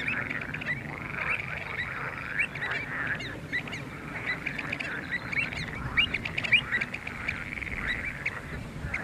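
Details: Several pied avocets calling at Skanör and Falsterbo in June 2015: short piping notes repeated irregularly and overlapping, with a few sharper calls, against constant windy background noise.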